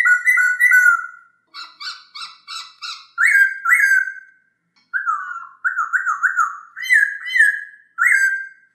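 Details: Masked laughingthrush (poksay hongkong) song, used as playback for training kept songbirds: loud whistled phrases that slide downward, a run of short buzzy rasping notes, then wavering and rising whistles in bursts with short pauses.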